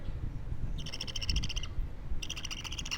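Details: Two-week-old baby budgerigar chirping in short harsh bursts, each a rapid pulsed rasp lasting about half a second, with low rumbling background noise.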